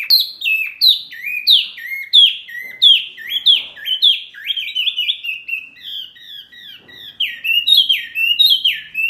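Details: Loud, varied songbird phrases from a training recording for caged birds: quick descending whistled notes in tumbling, overlapping series, bright and continuous throughout with no other sounds.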